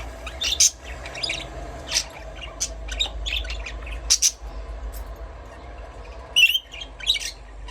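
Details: Budgerigar giving busy high chirps and scratchy squawks in quick irregular bursts, some notes sharply rising, over a low steady hum.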